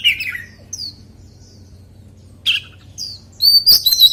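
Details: Wild-style white-rumped shama song: scattered bright phrases, a falling slurred note, short high whistles and a final burst of rapid high trills, separated by quiet gaps with faint low hum.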